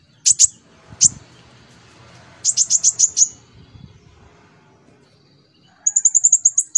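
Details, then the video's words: Brown-throated sunbird, called konin, sings as a training lure for a young olive-backed sunbird: scattered high chips, a quick run of five sharp notes, then a fast metallic trill, over a faint low rumble. "Pancingan konin rajin cerewet materinya ampuh buat kolibri ninja paud"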